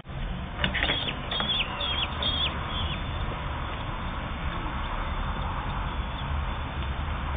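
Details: Common kestrel chicks, 8 to 10 days old, during feeding: a short burst of shrill, thin cries with bent, chevron-like shapes in the first two seconds, then mostly a steady low rumble and faint rustling.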